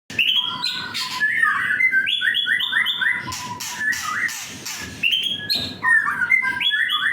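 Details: Young white-rumped shama singing in an agitated mood, clear whistled notes in stepped descending and rising sequences repeated rapidly, broken by bursts of harsh rasping noise in the middle.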